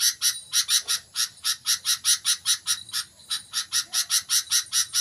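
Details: Almost continuous stream of buzzy, rasping chip notes, about four per second, as a sooty-headed bulbul starts singing vigorously; a steady thin high tone runs underneath.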